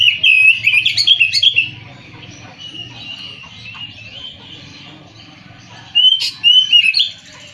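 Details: Oriental magpie-robin song in two loud bursts of rich, fluty whistles with quick slurs and trills, separated by several seconds of soft, distant twittering.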